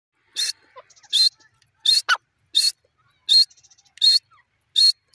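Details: Francolin giving short, sharp, high notes repeated at a steady pace, about one every 0.7 seconds, with faint softer chips between them and one lower rasping note near the middle.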